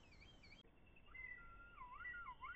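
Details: Red kite in the Eifel region of Germany: a wavering whistle is cut off abruptly. It is followed by lower, level whistles that then dip and rise in quick undulations, heard over a soft noise floor.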